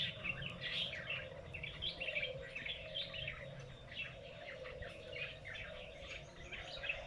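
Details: Strange birdsong in a lychee orchard at noon: dense clusters of quick, high chirps and trills come in irregular bursts over a steady background hum.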